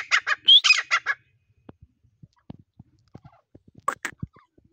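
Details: Grey partridge in breeding season giving a short burst of harsh notes with one rising whistle, followed by quiet scattered clicks and a brief rasping note near the end.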